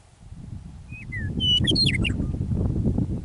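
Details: Meadowlark singing on the prairie near Drumheller, Alberta, Canada, at Michichi Dam, an early spring evening after winter: a short whistle, a lower falling slur, then a burst of tumbling, liquid notes; light wind below.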